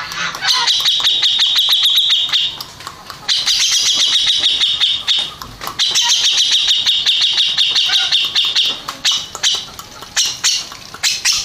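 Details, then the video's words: A Grey-cheeked bulbul that won first place in a contest sings repeated bursts of rapid harsh chatter, three long rattling phrases with brief gaps, ending in looser scattered notes. "Kicau Burung Cucak Jenggot Juara 1"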